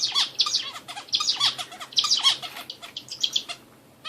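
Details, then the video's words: Hint bülbülü (Indian bulbul) singing: loud, rapid bursts of bright whistled and chattering notes with slurred downward inflections, delivered in two dense runs, then sparser single chirps toward the end. "hint bülbülü sesi"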